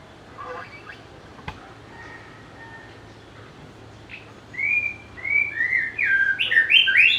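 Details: White-rumped shama, noted for a sweet, varied song and mimicry of other birds, delivering loud fluty whistles after a few quiet seconds: a string of rising and falling slurred notes that grows busier and richer toward the end.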